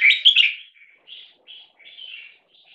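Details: A 1.5-year-old red-whiskered × stripe-throated bulbul crossbreed (75% red-whiskered) in a loudness test gives a loud burst of bright, warbled notes, then three or four softer, slurred whistled phrases over about two seconds.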